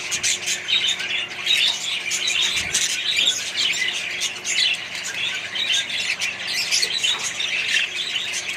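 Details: Crowded colony of Australian budgies and other birds, full of quick scratchy chirps and short squawks from many individuals, a constant overlapping chatter.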